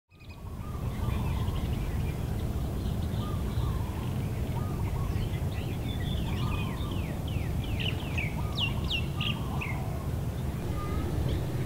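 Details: Non-native White-rumped shama (Copsychus malabaricus) at West Loch Shoreline Park, Pearl Harbor, Oahu, Hawaii, singing varied clear whistled phrases and quick rising and falling slurs over steady low rumbling background noise.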